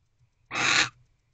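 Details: Wild barn owl in a nest box on the night of 25 December 2023, 9:45 pm, waiting for its mate's return, gives a single rasping, breathy screech lasting under half a second, with a soft low hum behind it.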